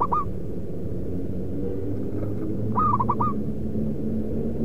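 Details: Zebra dove call used as a lure for trapping local wild birds. A short hooked coo is followed by a stuttering phrase of four rapid rising coos, set against steady low-pitched background rumble.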